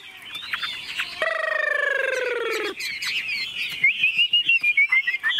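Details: Chinese hwamei kept in a cage that is hand-held and shaken, showing no fear of people; a long harsh buzzing tone sounds midway, then bright twittering whistles and quick repeated notes.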